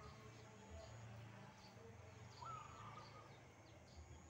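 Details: Wild zebra dove singing actively in the morning, answering a caged bird: a single quick rising, rattling coo phrase past the midpoint, set against low rumbling noise and faint repeated high chirps.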